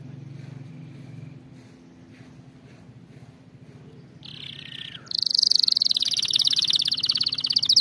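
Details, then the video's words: Canary song for training young singers: several seconds of quiet low background hum, then a brief buzzy phrase and a loud, fast, high rolling trill sustained to the end. "أفضل أغنية لتدريب طائر الكناري على الغناء الصحيح"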